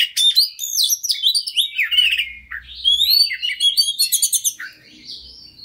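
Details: Oriental magpie-robin (kacer), a persistent fighter bird, sings a lure song meant to push other kacer into their full repertoire: fast, varied whistles, sharp chips and slurred notes tumbling in dense bursts, with a faint low hum midway.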